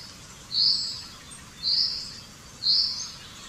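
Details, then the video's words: Common chaffinch (Fringilla coelebs) giving three evenly spaced high notes, each a short bright whistle about a second apart, against a faint steady hiss. "Canto del Pinzón Común"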